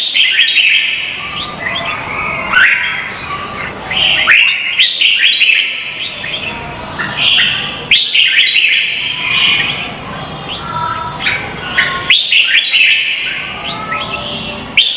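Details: Red-whiskered bulbuls in a Vietnamese singing contest, used as lure song to train and stir other bulbuls. Bright whistled phrases slur rapidly between high and middle pitch, bursting out in bouts about every two to four seconds with brief pauses.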